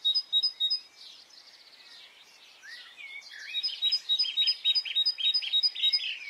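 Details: On a spring morning in Brittany, a few high pulsed notes open, then a soft tangle of chirps and warbles, then a quickening series of buzzy repeated notes from another bird.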